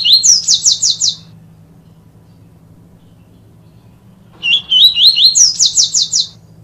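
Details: Yellow-bellied seedeater, song for training young birds in the Tui Tui Viviti style: a run of fast repeated sharp notes ends one phrase, then after a pause a new phrase of wavy slurred whistles leads into quick, buzzy repeated notes.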